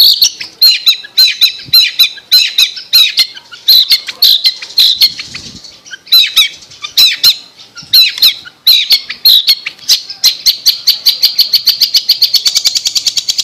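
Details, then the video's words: Long-tailed shrike chirping for bird mastering: sharp, repeated high chirps in uneven runs, quickening near the end into a rapid series of clipped notes. "MASTER BIRD CHIRPING THE LONG TAILED SHRIKE"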